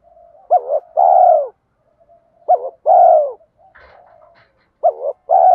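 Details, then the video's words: Cooing spotted dove, a lure bird in the 'thổ' voice style for training: three phrases of a quick broken note followed by a drawn-out steady coo, plus a faint rustling noise in the middle. "Thúc gù gáy gọi/ tiếng Cu gáy mồi giọng thổ pha đồng hạp bổi kích mồi luyện bổi"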